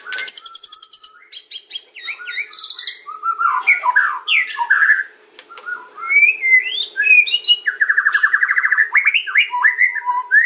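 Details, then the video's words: White-rumped shama song meant to draw in other birds, mixing harsh buzzy rattles, scratchy chatter and looping whistled phrases in rapid, varied bursts with brief pauses. "KRETEKAN & OCEAN MURAI || MEMANCING BURUNG MURAI APAPUN LANGSUNG NYAUT"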